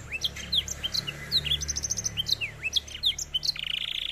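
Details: Black-throated canary, an African finch, singing a rapid varied song of high whistled notes, sweeping slurs and short buzzy trills, with a dry rattling buzz at the end; faint low hum underneath.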